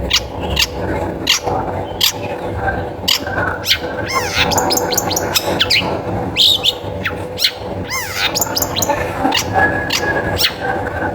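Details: Long-tailed shrike singing, played to coax other shrikes into song: scattered sharp chips, quick wavering whistled slurs around four and eight seconds, and scratchy notes over constant low hum.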